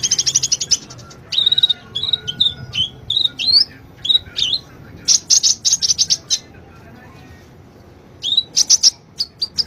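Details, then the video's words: Lure song of a sunbird for a bird that is slow to sing: a rapid burst of high twitters, a string of short bending whistled notes, pauses, then more quick high chirps near the end. "Pancingan Ampuh,buat Kolibri yang malas bunyi"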